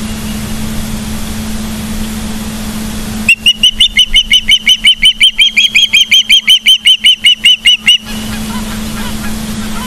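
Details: Osprey calling from a Montana nest camera at Charlo on 15 September 2023, midday: after a few seconds of quiet hum, a loud burst of sharp, high chirps follows rapidly for about five seconds, then stops abruptly.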